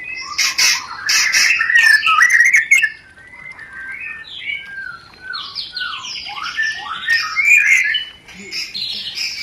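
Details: White-rumped shama 'rencetan' song used as a mating lure: harsh chattering bursts, then a varied sequence of whistled slurs and quick repeated notes at moderate volume.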